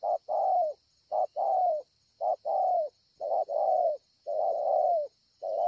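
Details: Spotted dove described as a 'bổi ngực sẹo' with very good cooing, recorded at Ngọc Hồi on 25 March 2020: deep coos in brisk short-long couplets, about five in a row, a constant high insect drone behind.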